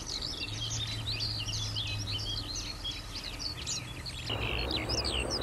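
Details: Skylarks singing cheerfully: an unbroken stream of rapid, high chirps, trills and slurred notes that changes little in pace, laid over a steady low rumble of road traffic noise.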